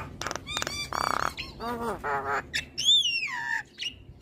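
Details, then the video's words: A singing Javan myna, a stressed bird that had been reluctant to sing, nods as it sings. It gives clicking notes, a harsh nasal burst, a stacked rasping phrase, then a loud rising and falling whistle. "Dengar Suara Khas Jalak Kebo Gacor"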